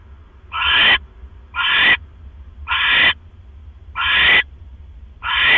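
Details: Owl giving a run of five harsh, raspy screeches about one per second, evening of October 18, 2015, at 7:24 PM, while one owl brings its mate a rat. A low steady hum underlies the calls.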